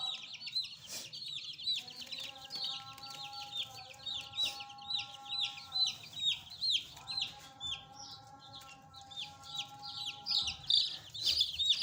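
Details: A flock of fresh pet chicks peeps constantly: shrill, short falling chirps overlap in a busy stream, with a steady background drone that comes and goes.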